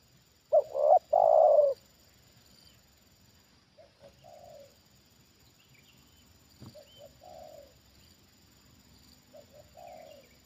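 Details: Trained spotted dove answering a wild bird brought down for the second time: one loud three-part coo phrase early on, then quieter, more distant coo phrases about every three seconds, each two short notes and a longer falling coo.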